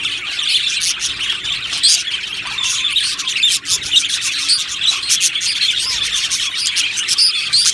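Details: Happy budgerigars chattering in an aviary, a steady mass of high chirps and trilled warbles from numerous birds, briefly dipping in loudness near the middle.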